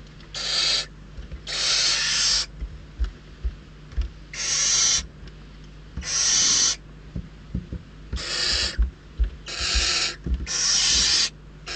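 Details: Starved barn owl nestlings at Riet Vell Nature Reserve in the Ebro Delta squabble over delivered prey, one swallowing a mouse crosswise; rhythmic harsh hissing screeches roughly every one to two seconds, with soft bumps and scuffles between.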